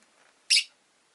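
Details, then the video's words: Pet rosy-faced lovebird giving a single short, sharp, high chirp, loud and abrupt, against a quiet background. "Lovebird Chirping Sounds"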